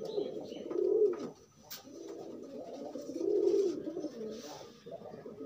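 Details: Loose pigeons pairing: two drawn-out rolling coos about two seconds apart, each swelling to a louder middle and then trailing off, with a faint click between.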